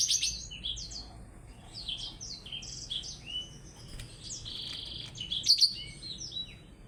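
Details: Singing blackthroat matched against a Java sparrow: rambling high warble of short downslurred whistles and chips, with a held buzzy note midway and two piercing high notes near the end.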